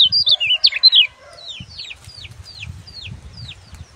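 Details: Kecial kuning sunbird in gebokan song, used for tutoring other birds. A loud, fast run of sharp twittering notes opens, then softer descending slurred whistles repeat about three times a second over low background rumble.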